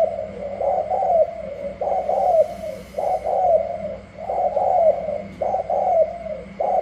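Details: Cooing duel of spotted doves from Cà Mau, Vietnam, a freshly wild-caught male tested against rival doves: soft, throaty coo phrases repeated almost once a second, each ending in a slight downward slur, with constant low background hum.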